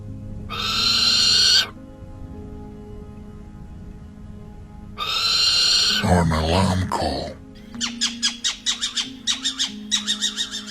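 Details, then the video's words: Little Owl, a female calling the male to bring food or giving an alarm call: two harsh, hissing screeches, then a quick run of short, sharp, evenly spaced notes over soft background music. "The female calling the male to bring food [Music] or an alarm call. [Music]"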